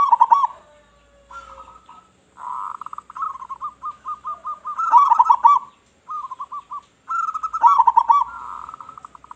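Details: Local zebra dove, loud and in full voice, calling to draw other doves: rapid staccato cooing runs with louder accented clusters, phrases following each other with short pauses.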